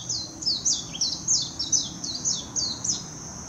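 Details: Warbling white-eye singing at Hashimoto, Wakayama Prefecture, Japan, on 26 June 2021, recorded with a Nikon Coolpix P900: rapid, high twittering phrases of thin notes sliding downward in quick bursts over a steady, high insect-like whine.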